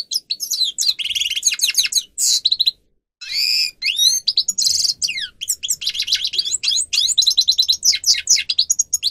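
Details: Grey-crowned goldfinch singer on a training recording: long energetic twittering song of rapid high sweeps and buzzy rattles, a brief break, then descending whistles and a fast run of sharp chirps.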